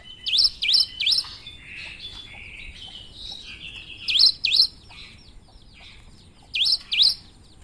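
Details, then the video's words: Cinereous tit with an unusual song: bright, ringing notes that swoop down then up, in bursts of two or three. Softer warbled twitters fill the pauses between bursts. "Gelatik batu gacor suara aneh"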